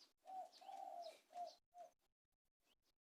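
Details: Spotted dove giving soft, distant low coos, a longer drawn-out note followed by shorter ones, against a faint hiss with light chirps.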